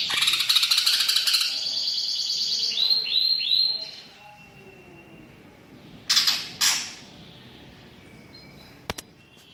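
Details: Greater green leafbird in full 'gacor' song with mimicked 'isian' fill: a fast high chattering trill, a few looping whistled notes, then quiet broken by sharp bursts.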